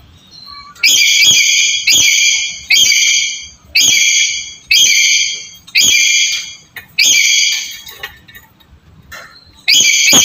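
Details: Black-capped lory calling, meant to stimulate a quiet bird: loud, harsh, stacked screeches, each under a second long, repeated about once a second, eight in a row, then a pause and one more.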